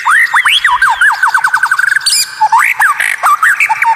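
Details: White-rumped shama with rare, strange notes meant to provoke rival birds: fast rising whistles speeding into a rapid stuttering run, a harsh burst, then varied looping whistled phrases.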